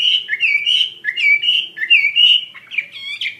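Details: Wambi mandarin bird singing actively, repeating short rising whistles that level into sustained clear notes, several phrases in quick succession, ending with sharper twitters.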